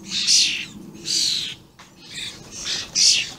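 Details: Juvenile and adult common starlings calling, recorded 28 May 2016: five loud, grating, breathy screeches, each about half a second long, separated by short pauses.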